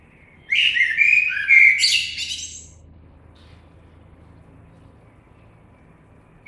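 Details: A single song phrase from a common blackbird: rich warbled fluting lasting about two seconds, ending in scratchy high notes, followed by a long quiet pause and a brief sound at the very end.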